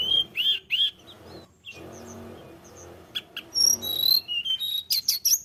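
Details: {'text': 'Snowy-browed flycatcher singing: two loud looping whistles, then a lull with low rustling, followed by sharp ticks and a quick series of very high, thin whistles and chirps.'}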